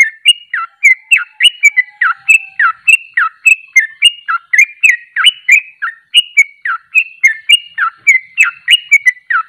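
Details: Trucuk, or Sooty-headed bulbul, in ropelan song: fast, continuous chains of clear whistled notes that flick up and down, packed about three and a half to the second, with no pauses.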